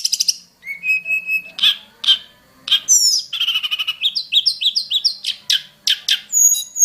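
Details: Wild hill prinia delivering a busy varied song: a level whistle, scattered chips, a rich warbled phrase, then rapidly repeated high notes in a rhythmic string.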